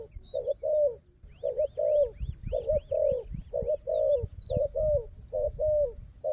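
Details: Wild dove, strong at fighting, cooing in paired hollow notes against a decoy while a loud series of rising high whistles repeats rapidly overhead for several seconds.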